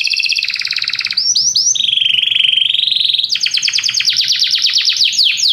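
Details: Canaries singing together after hearing music: a dense buzzy roll, brief looping whistles, a smooth sustained rising-falling tone, and then a fast series of clipped downswept notes.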